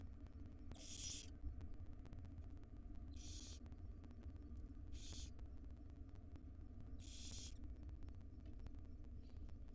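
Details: Barn owl owlets, five wild young in a monitored nest box, call for food while their mother feeds them breakfast; four rasping hissed screeches spaced about two seconds apart over a steady low hum.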